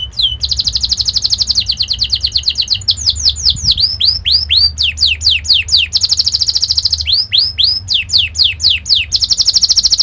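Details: Singing canary used as a training song for young canaries: alternating dense buzzy rolling trills and series of bright curving whistled sweeps, loud and continuous throughout.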